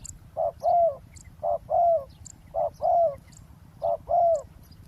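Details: Roadside ground trapping, with a decoy spotted dove luring a wild one. Four evenly spaced pairs of low coos, each a short note and then a longer, downward-sliding one, over soft background chirping.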